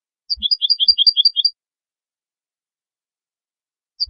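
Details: European goldfinch song: a quick phrase of alternating high and slightly lower tinkling notes, about a dozen in just over a second, then silence before a fresh note begins.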